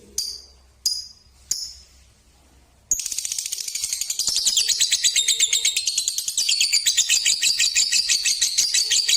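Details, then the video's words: Balibu lovebird, six months old: three short, sharp high chirps, then a sudden long stream of fast, buzzy chatter that pulses rapidly and continues without pause to the end. "Burung Lovebird Balibu Pasjo usia 6 bulan"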